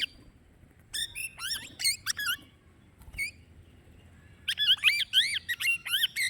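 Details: Plum-headed parakeet uttering scattered bursts of shrill, warbling squawks with sliding pitch, a lone call midway, then a longer excited series of rising and falling screeches near the end; background otherwise quiet.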